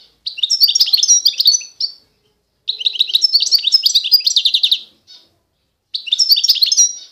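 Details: Eastern Algerian Constantine goldfinch in sustained song: long, dense runs of rapid metallic twitters, liquid trills and buzzy notes, roughly two seconds each, broken by brief pauses.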